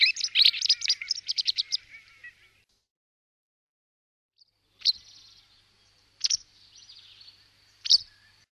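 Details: Pied wagtail in Alamillo Park, Seville, Spain; a rapid run of about ten twittering high notes, then a pause and three separate sharp chips, each trailing into a short buzzy tail, in quiet surroundings.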